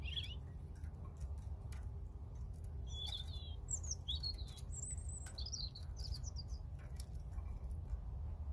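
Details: European robin song of separate high sweet notes, wavering and trilled, delivered in short bursts with pauses between, over a steady deep hum of background noise and faint clicks.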